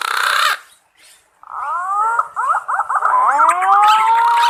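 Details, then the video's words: Green pigeon calling its companions, recorded directly from a real bird and used as a lure for hunting. A harsh burst gives way to wavering whistled notes, then long, smooth, rising whistles. "Suara burung punai panggil kawan nya"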